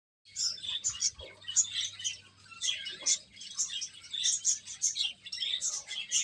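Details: Baby chickens chirping while eating: dense, bright high chirps in overlapping bursts throughout, with a faint low steady hum underneath.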